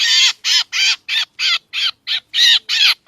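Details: Harsh, buzzy squawks of a black drongo used as a trapping lure: nine broad, grating notes in three seconds, evenly spaced with slight variation in length. No other sounds.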